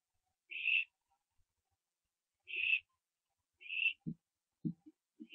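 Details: Barn owlets around branching, night of 15 September 2011: three harsh hissing screeches, the first pair two seconds apart then a quicker one, followed by knocking thumps.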